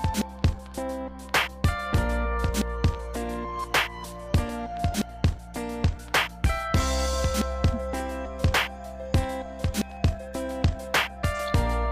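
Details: Music with a steady beat and plucked string tones plays throughout, with no animal voice present. Only instruments and rhythmic percussive hits are heard.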